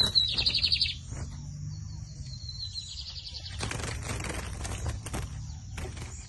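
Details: Bigodinho, the lined seedeater, singing in a 2023 season song competition: a fast warbled trill opens, followed by a drawn-out thin whistle, then clicks and background noise.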